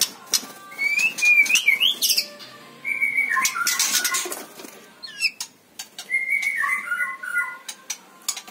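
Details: A stone magpie kept at home on a bird farm gives three bursts of clear, warbling whistles that dip and rise around a mid-high pitch, with sharp clicks and rustling between phrases.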